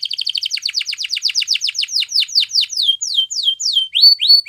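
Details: Singing yellow canary: very fast stuttered high syllables that gradually stretch into slower, longer down-slurred notes, finishing with clear rising whistles.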